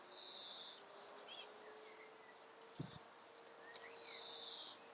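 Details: A juvenile great spotted woodpecker, recently fledged, gives short bursts of shrill, high chattering as it begs and is fed by the female, over a steady thin insect-like hum.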